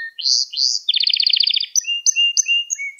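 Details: Canary song from a kept bird, used to train young canaries: two rising sweeps, a fast pulsed trill, then a run of clear thin whistles at varied pitches.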